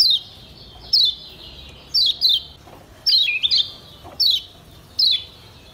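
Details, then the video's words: A Lombok yellow white-eye, used as a training recording to keep caged birds healthy and singing, gives high, thin, falling chirps, about one each second, some doubled into quick pairs, over a faint steady hiss. "Kecial Kuning PENYEGAR Ampuh Bikin Kecial SEHAT dan RAJIN BUNYI"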